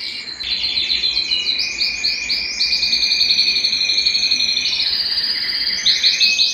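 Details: Belgian canary singing to warm up other birds and bring females into breeding condition; dense, continuous high warbling with rolling trills and buzzy rattled phrases shifting between pitches, no pauses.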